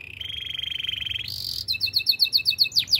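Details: Canary, called a Russian canary, singing a training song: a long rapid trill near one steady pitch, then a sudden buzzy high burst and a run of bright repeated downslurred notes, several per second.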